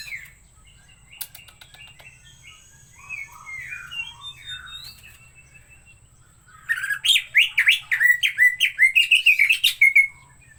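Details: Green leafbird singing energetically: soft, scattered whistled phrases at first, then a loud, rapid sequence of sweeping notes repeated several times a second for the last few seconds.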